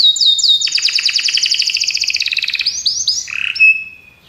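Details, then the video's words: Belgian canaries sing a rapid, steady trill of high pulsed notes, sliding slightly lower over two seconds, ending in quick whistled upslurs and a clear pure whistle. "Os canários belgas cantam espetacularmente"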